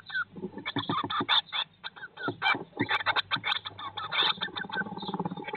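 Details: Inside a blue tit nest box, day 19 after the young hatched in May 2022: an almost continuous stream of harsh, scratchy, high calls in quick irregular bursts, with a faint low background hum.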